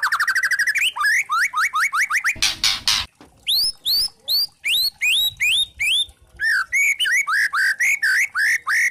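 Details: Lure song of a white-rumped shama (murai batu trotol) with kretekan, for provoking other shamas: a rapid high trill, repeated upslurred whistles, one harsh rattling burst, then steady rising notes about three per second.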